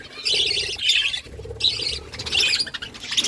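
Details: Morning budgerigar chirping: bursts of bright, high twittering in short clusters, separated by brief pauses.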